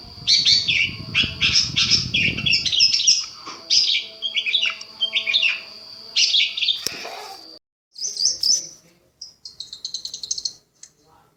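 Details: Long-tailed shrike master recording intended to make shrikes respond and get worked up: rapid scratchy chattering phrases in close series, then a pause and a softer quick rattling run, low rumble early on.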